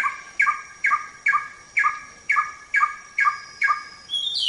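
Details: Samyong recorded for training songbirds: a harsh, ringing note repeated about every half second, eight times at a steady pace, then a rising squeal at the end.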